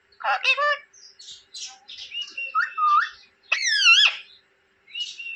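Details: Pet rose-ringed parakeet in India mimicking speech with short harmonic syllables, soft murmured notes and one louder arched squawk, in a quiet indoor setting.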